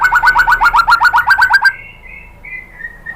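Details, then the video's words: White-rumped shama singing to provoke other birds into song: a rapid run of identical slurred notes, about seven per second, stops abruptly and is followed by soft, thin, drawn-out whistles. "Bikin GACOR ‼️ MURAI BATU jadi EMOSI NYAUT BONGKAR ISIAN ¦ PANCINGAN MURAI ¦ SHAMA BIRD"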